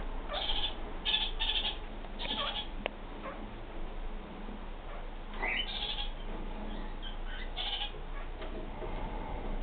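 Kakariki giving short, harsh, nasal chattering bursts, several in the first three seconds and more around six and eight seconds, over a steady low rumble.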